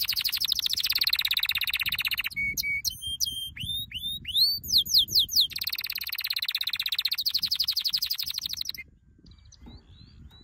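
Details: Canary training song: a loud rapid rolling trill, then a run of sharp upslurred whistles repeated about once per half second, another long fast trill, and a near-silent ending.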